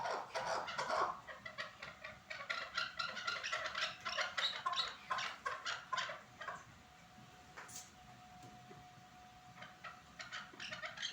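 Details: Chukar partridge from Norak: loud, fast rattling clucks repeated several times a second for about six seconds, then fading to quieter scattered chuk notes with a faint steady hum beneath.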